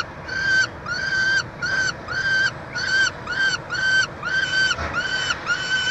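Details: Montreal, Canada, June 22 2023, peregrine falcon nest box where a chick is fed: steady series of about eleven ringing, whining calls, each slightly arched in pitch, spaced under a second apart.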